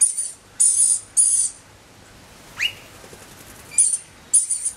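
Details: Rainbow lorikeet chick in spring; very high, harsh hissing bursts of about half a second come in clusters, with one brief rising squeak between them and quiet gaps.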